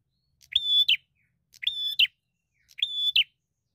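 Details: Three loud, rasping notes from a bar-winged prinia, a fighter seeking an opponent; each is a flat buzz about half a second long finished with an emphatic flick, about one per second.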